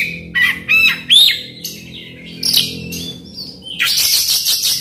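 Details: Oriental magpie-robin singing a lure song meant to set a quiet bird singing: clear, looping whistles, then a long thin high note and a dense run of scratchy, rattling notes at the end.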